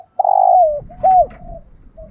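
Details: Spotted dove, a recording prized for its voice and used to train decoys: a long hoarse low coo and a shorter arched coo over a low rumbling background.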